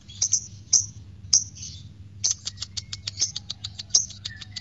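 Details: Lovebird recording used to stimulate another lovebird into ngekek singing: sharp, high, piercing chirps, scattered at first, then running into a quick series of clipped notes, with a faint low hum behind.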